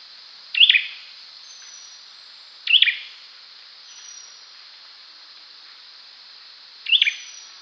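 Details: Olive-backed sunbird: three sharp high chirps spaced about two to four seconds apart, quieter faint notes between them, over constant high hiss.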